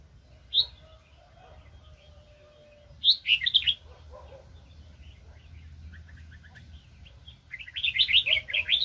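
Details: Wild red-whiskered bulbul, described as very aggressive, heard while being trapped in 2020. A single chirp, then a quick warbled burst near three seconds, and a rapid run of bright chattering notes at the end over a quiet background.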